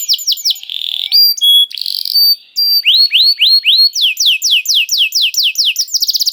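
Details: Canary bait song meant to set other canaries singing: varied whistles and buzzy tones, a short pause, then a series of rising notes turning into rapid falling swoops.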